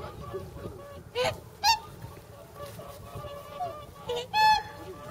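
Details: Whooper swans at a pond in Nagamine, Nishiyama-cho, nearly 300 swans present shortly before their journey north, give loud trumpeting honks, four strong ones in five seconds, over a murmur of softer flock calls.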